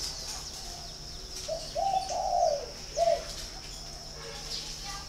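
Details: Farm-kept spotted dove in Ba Vì, Hanoi, Vietnam, giving a single cooing phrase midway: a soft opening note, two rich rolling coos, and a short crisp final note, over a continuous high hiss.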